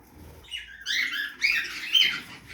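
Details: Budgerigars feeding in a backyard aviary: soft chatter rises into bursts of bright, scratchy warbling chirps. Near-silent moments separate three louder clusters of calls.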